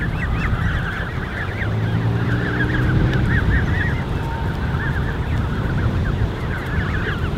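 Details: A crèche of 30+ Canada goose goslings (34 counted earlier), recorded 13 June 2015, peeping at once: thin, high, upslurred peeps overlapping several times a second, over a steady low rumble.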